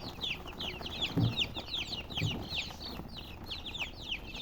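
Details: Many color chickens chirp together in quick, shrill, downward-sweeping peeps that crowd one another, with two soft low thumps near the middle.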